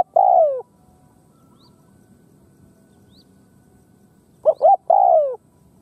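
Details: Khmer spotted dove giving a long, soft, slightly falling coo, then after a silence two quick clipped notes leading into a longer mellow coo; a still, quiet background.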